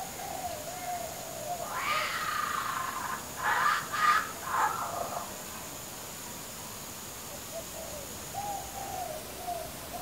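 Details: A hungry baby kookaburra sitting on a clothes hoist gives a few harsh, gurgling, rasping bursts over about three seconds, with a faint repeated low chatter before and after.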